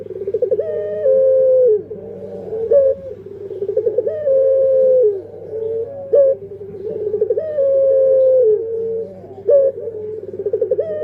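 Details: Puter pelung dove calling repeatedly, each phrase a rapid trilled start followed by a long level coo that falls away, about four phrases in a row, with a low hum underneath.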